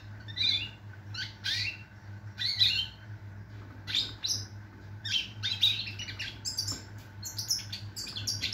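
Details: European goldfinch song, 22 September 2023: bursts of bright chattering notes and tinny trills separated by brief gaps, growing denser toward the end, with a persistent low background hum.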